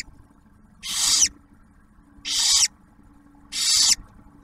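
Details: Nest-camera barn owls at Ottawa National Wildlife Refuge, Ohio, the male bringing food for the female and newly hatched owlet: three loud, even hissing rasps spaced about one and a half seconds apart.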